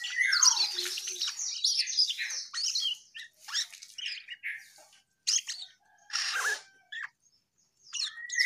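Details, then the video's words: Asian pied starling in full, lively song: a jumble of harsh squawks, scratchy chatter and sharp whistled notes, with a falling whistle at the start and short bursts separated by brief pauses. "Burung cucak Keling Gacor"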